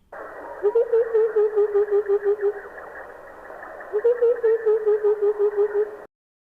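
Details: White-browed coucal from southern Africa giving two bubbling runs of low, hollow hoots, each starting slightly higher, then settling into an even, steady series; thin, telephone-like sound.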